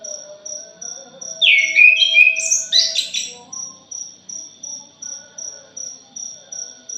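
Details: Chattering punglor jali, the orange-headed thrush, used as a lure: a two-part phrase of swooping whistles and harsher, buzzy notes rises and falls, set against continuous evenly spaced high-pitched ticking.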